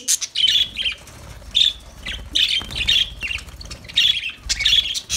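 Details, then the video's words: Lovebird calls in short separate bursts, shrill squeaky chirps and harsh squawks, roughly one outburst every second with quiet gaps between. "Lovebirds Sounds Lovebirds Singing"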